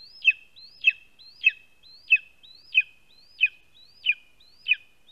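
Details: Nestling lesser spotted eagle on a spruce nest in Latvia, filmed by nest cam on 2 August 2020 at 12:25 pm when a vole is delivered: steady series of eight piercing, upslurred whistled calls, evenly spaced about 0.6 seconds apart.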